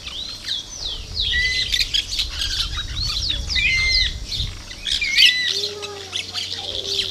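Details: Plain parakeets (Brotogeris tirica), a busy flock recorded 2 December 2012, chatter in a constant stream of shrill, scratchy squawks and sharp rising and falling chirps that overlap throughout.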